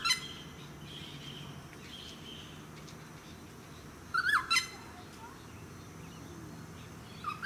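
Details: Noisy friarbird, filmed in July 2017 in a eucalyptus tree of a suburban park on Queensland's Sunshine Coast, gives a loud grating call at the start, a harsh double squawk midway and another at the end. Quieter bird chirps and low traffic rumble fill the gaps.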